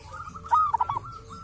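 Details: Local wild zebra dove recorded at a sacred tomb, noted for a distinctive voice; a single brief phrase of bright opening note and clipped soft coos, with a long faint trailing tone.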